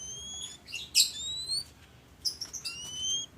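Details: Oriental magpie-robin (kacer) singing in ngobra hot-cold style to prompt other birds to sing: long thin high whistles, one sliding upward, broken by a loud harsh burst, over faint hiss.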